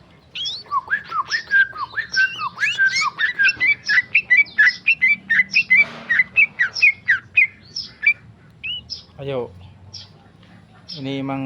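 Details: Tame male sooty-headed bulbul singing in the rapid 'ropel' style: a fast run of short, clear, slurred whistles with up-and-down notes, about one and a half per second, breaking off near the end into a few harsher buzzy notes.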